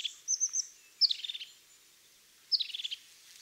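European crested tit giving high, thin opening notes followed by a purring, trilled rattle, repeated twice in quick bursts; otherwise quiet.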